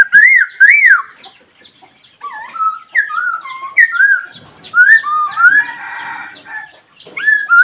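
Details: Black laughingthrush calling with two loud arched whistles, then a varied series of swooping, descending and rising whistled notes, some overlapping, with short gaps between phrases.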